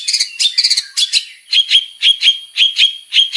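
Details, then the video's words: Varied song of a male long-tailed shrike used to prompt singing: quick doubled chirps at first, then paired sharp whistled notes repeated at a steady, slower pace. "PANCINGAN BURUNG CENDET GACOR BANYAK VARIASI"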